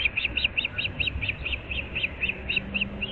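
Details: Calling osprey at a Florida nest on an April 2024 morning: a continuous, slightly irregular series of paired or doubled whistled chips, about fifteen notes, over low rumble and a faint steady hum.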